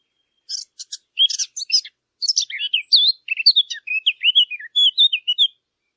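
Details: Birds chirping in a lively, high-pitched stream of short twittering notes and quick slurred whistles, dense and continuous after an opening pair of sharp chips.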